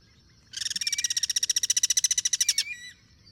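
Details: Wild Guira cuckoo cross-singing in its natural habitat: a rapid, harsh pulsed series of about twenty-five notes over two seconds, each note rich in overtones, steady in pace and stopping abruptly, with faint background noise.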